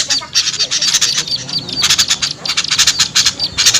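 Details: Lure sound for attracting small birds: scratchy, high-pitched chatter in quick pulses, broken by brief pauses, several notes blurring together with a faint background hiss.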